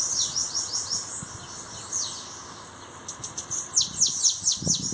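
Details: High, sibilant bananaquit song from a newly arrived bird: a rapid series of downward-sweeping, wheezy notes, a brief lull, then another burst of sharp falling sweeps over a faint constant hum.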